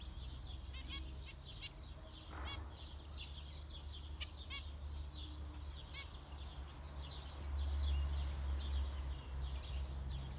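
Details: Zebra finches give sporadic short nasal beeps amid continuous high twittering, with a heavy low-pitched hum that swells louder near the end.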